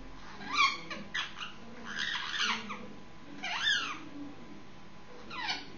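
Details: Six-month-old Indian ringneck parakeet making noise before sleep indoors: softer scattered chattering notes and rasping sweeps, with a couple of clearer upward-curving squawks, in a quiet small room.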